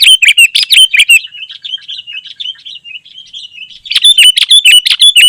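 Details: Dense song of a sooty-headed bulbul, played to attract wild birds and teach caged ones: loud chirpy bursts, then a softer run of quick repeated twittering notes, then loud bubbly phrases return.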